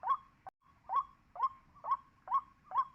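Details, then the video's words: White-breasted waterhen lure call used for trapping birds: loud, nasal 'wak' notes repeated about twice a second in a steady rhythm, each note a short harsh burst, with a low background hum. "Pikat burung wakwak |waterhen Bird trap"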